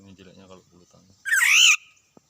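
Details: Black-naped oriole encountered while out searching for birds to lure and catch, alongside a white-eye: one loud, harsh, nasal call with rich overtones, arching slightly then falling, after soft human speech.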